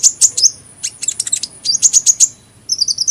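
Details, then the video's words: Rapid high hummingbird twitter of squeaky chirps and tight clusters, then five evenly spaced bright notes, ending in a quick rippling series of paired tweets. "Kicauan Burung Kolibri"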